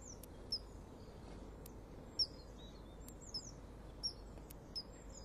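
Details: Common kingfisher on 25 February 2015, one of a pair at a nest wall, landing on a small platform with a morsel and then calling loudly as it flies off with the other. Thin, high, sharp whistles come at irregular intervals, with faint clicks and a steady low hum.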